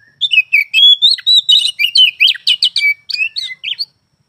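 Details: Caged oriental magpie-robin in full song: a rapid, varied string of clear whistles and sharp chirps, roughly fifteen notes over three and a half seconds, with clean quiet background.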